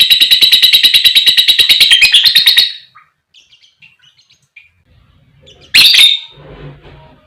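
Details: Lovebird in long chattering song, used to lure other lovebirds, male or female, into singing: a fast even run of harsh, buzzy notes for about two and a half seconds, quiet scattered chirps, then one loud harsh burst.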